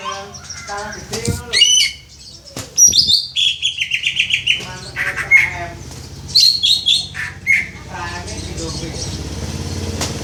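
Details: Greater green leafbird, a young bird still in training, practising song modelled on the "Om Telolet Om" bus horn. It makes jumbled squeaks, trills and high whistled phrases in bursts over a steady low background hum.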